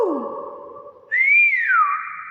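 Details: A low, breathy sound gives way to a single strong whistle from a Nias hill myna, arching upward and then gliding down to a steady tone.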